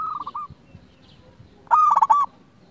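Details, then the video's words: Singing local zebra dove, meant to excite rival doves into answering: a few softer clipped coos, then after a pause a loud burst of fast, stammering, rolling notes. "Perkutut lokal gacor RAJA PIKAT ini ahlinya bikin semua burung perkutut gacor NYAUT"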